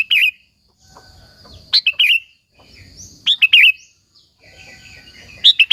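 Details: Sooty-headed bulbul in full song, used to lure and excite other bulbuls. Brief chirpy, bubbling phrases of three or four quick liquid notes, separated by pauses of over a second, over quiet background hum.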